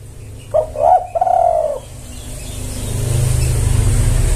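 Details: Lure recording of a spotted dove calling males: a stuttering coo opening into a long, slightly falling hoarse note, followed by a rising low rumble like passing traffic.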